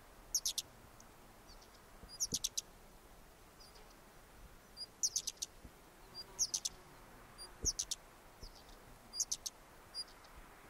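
Güldenstädt's redstart gives short, high, thin bursts of two to four quick notes, repeated every couple of seconds over faint background hiss.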